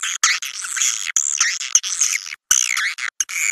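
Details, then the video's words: Recording for calling swiftlets into swiftlet houses and keeping them overnight: continuous, squeaky twittering with sliding high notes, cut by a few abrupt silent gaps. "Suara walet super max"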